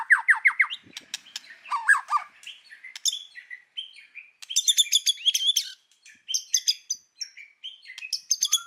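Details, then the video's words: White-rumped shama forest-voice song: quick trilled bursts at the start, then scattered whistled and chattering phrases, some high and bright, others dropping lower, with short gaps between them. "chòe lửa hót giọng rừng. kéo thuốc lào kích bổi. tiếng chim chích chòe lửa hót"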